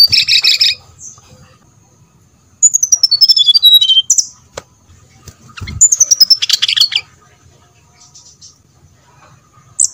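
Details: Brown-chested jungle flycatcher song as a lure to provoke singing: opens with a harsh buzzy burst, then two runs of high whistles falling in pitch step by step, broken by scratchy notes.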